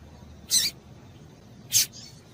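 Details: A female Double-collared Seedeater (coleiro) gives two short, high, buzzy chip notes about a second apart against a quiet background, a call played to stimulate captive males to sing.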